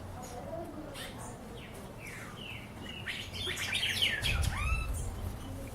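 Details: Wild birds singing: a mix of short whistled notes, rising and falling slurs and rapid chirps. The notes grow denser and louder toward the end over a low background rumble.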